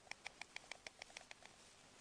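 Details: Greeting at a white stork nest in Vetschau, Spreewald, on 17 April, picked up by a webcam: a brisk train of dry clacks about seven per second that slows and fades out, with background hiss.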